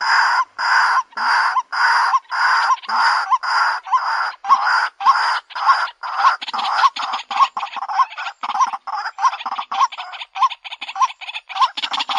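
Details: A long run of rough, grating croaks from a White-breasted waterhen lure call. The notes start slow and broad, then speed up into shorter, hooked notes.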